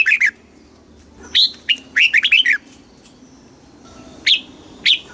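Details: Red-whiskered bulbul in Thailand singing the southern master phrase used to stimulate caged birds: quick paired notes, a bouncy string of warbled chirps, then two isolated bright calls after a pause.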